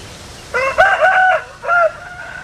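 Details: Short rooster crow: a clipped opening note, a longer harmonic middle section, and a brief falling final syllable, over low background hum.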